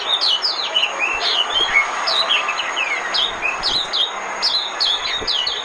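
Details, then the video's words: Lure song of an Oriental white-eye for trapping birds: a continuous, busy twitter of high, thin notes, many slurring downward, some dropping lower, sung without clear breaks over faint background hiss. "Tiếng chim mồi - Tiếng chim khuyên mồi hay nhất 2017"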